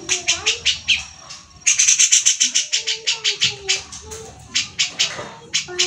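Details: Besetan from a grey-cheeked bulbul, used as tutor material for fighter birds like the white-rumped shama, oriental magpie-robin and leafbirds. Harsh chattering bursts repeated quickly in runs, pausing briefly, with soft lower whistles between.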